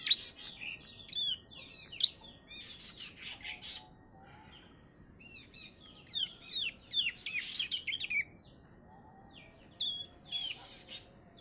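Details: Three-month-old Bar-winged prinia with ciblek song tutoring: clusters of high, twisting chirps and short trills in separate bursts with quiet gaps, one thin whistled note standing out.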